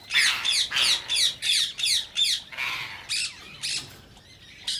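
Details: Rose-ringed parakeet, whose call is said to excite other parakeets to sing and mate, giving a steady string of shrill, rasping squawks about three a second, then scattered notes over a faint background hiss.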